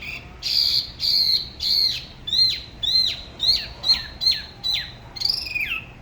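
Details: Solo song of a spot-throated babbler from Da Lat's La Ba river, whose way of singing differs from other regions: clear whistled notes, each sliding steeply down, repeated roughly every half second in a steady phrase.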